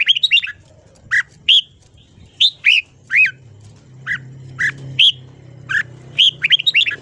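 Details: Red-whiskered bulbul singing in the morning for voice training, a steady series of separate sharp chirps and brief note groups about every half second, with a low hum in the background.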